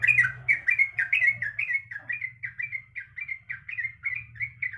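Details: Breeding female sooty-headed bulbul calling the male, giving a rhythmic series of bouncy two-part chirps about twice per second, loud at first and then softer, over a faint low drone.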